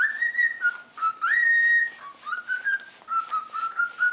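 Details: Pet cockatiel, owner suspects it is in breeding condition, whistles clear, sustained tones with sliding pitch, rising and holding long notes, then a string of shorter wavering whistles in a quiet room.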